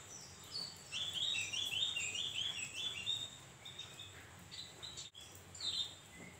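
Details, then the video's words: Javan grey-throated white-eye lure song to draw replies from its kind: a run of quick, high, buzzy twittered notes lasting about three seconds, then scattered thin chips, over a steady hiss. "Opior Jawa manapun pasti Nyaut dengerin suara burung Opior Ini‼️"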